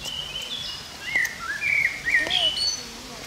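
A common blackbird sings a run of mellow, fluty whistled phrases that rise and fall, with a few soft lower notes mixed in over a quiet outdoor background.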